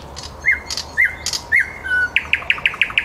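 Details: Nightingale in the city of Helsinki, Käpylä district, singing live at 21:30: a few whistled, slurred notes, then a quick string of sharp, clicking notes repeated about six times a second, over low background hum.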